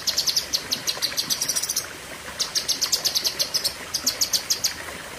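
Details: Cucak kinoi, the lesser green leafbird, delivering high, sharp, fast-repeated notes in three rapid bursts of about a second each, sung as long 'tembakan' shots in the 'pedes panjang' style.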